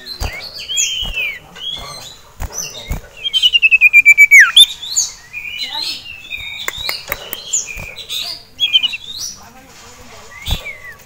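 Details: Agitated caged male sirtu, excited by a rival male and a female, with a common iora nearby; a busy mix of short high whistles and slurred notes broken by a fast buzzy trill, with sharp clicks throughout.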